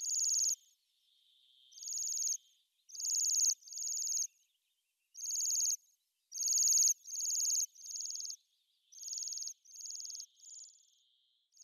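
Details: Bohemian waxwing calls: thin, high trilling notes given singly or in pairs about eighteen times a minute, with irregular spacing and a faint lower hum between bursts.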